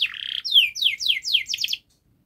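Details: Brief canary song phrase from a fast, dense training song for young canaries: a buzzy trill followed by five or six loud downslurred whistled notes, then silence.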